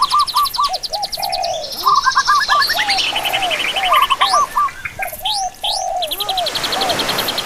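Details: Several birds sing together in a busy chorus: clipped, repeated mid-pitched arched notes with rapid high metallic trills and sweeping upslurred whistles layered over them throughout.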